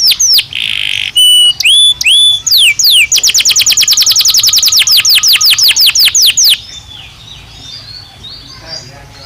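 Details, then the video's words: Belgian canary song: varied whistled notes, rising slurs, then a long fast series of repeated sweeping notes lasting several seconds before fading into quiet background. "Som de 1 Hora com Canario Belga Cantando Naturalmente"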